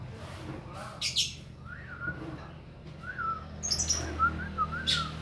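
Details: Untrained grey-cheeked bulbul, not yet in full song, uttering brief whistled notes that rise and drop, spaced irregularly, with faint clicks and a low hum underneath.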